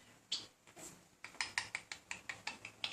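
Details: Pet budgerigar indoors, a male chatting up a female, persistently courting her without much success; sparse clicks and short scratchy chirps in a quick uneven run.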